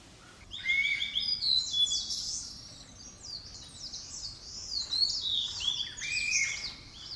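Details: A blue-and-white flycatcher, a summer breeding visitor to Japan, gives a continuous run of high, sweet whistles and buzzy trills with quick pitch slides, about four notes a second, over a faint hiss.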